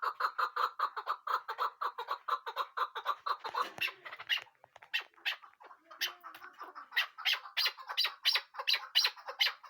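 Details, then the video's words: Chukar partridge calling: a long run of fast, evenly repeated clucking notes at first, then a louder, sharper series of chuk notes at roughly one and a half per second, with short gaps between bursts. "keklik sesi chakor awaz"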